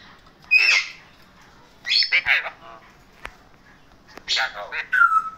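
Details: Happy male Indian ringneck, kept as a pet, makes three spaced bursts of scratchy, warbling squawks over about five seconds. The last note is a thin, falling whistle.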